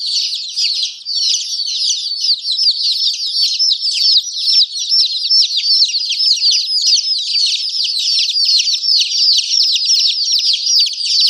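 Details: Numerous baby chickens peeping loudly and continuously, with high, quick chirps that crowd together into a steady, shrill chorus with no gaps.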